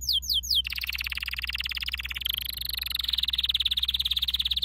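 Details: Canary training song opening with three quick downslurred notes, then a sustained, very rapid pulsing trill that stays high and even, growing slightly louder toward the end.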